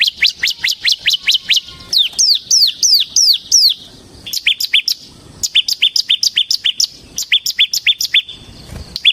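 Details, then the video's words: Lively bar-winged prinia song, the ciblek semi gacor style used to provoke and tutor other ciblek: long fast runs of high sharp chirps, some sweeping down, broken by brief gaps. "suara burung CIBLEK SEMI GACOR Ngebren Ampuh untuk Pancingan Ciblek Kristal dan Masteran Ciblek"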